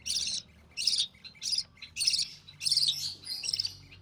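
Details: Young recessive pied budgie, sole survivor of three hatched in early June 2020, calling while its mother feeds it: six harsh, buzzy, high-pitched bursts, roughly one every half second, in a quiet setting.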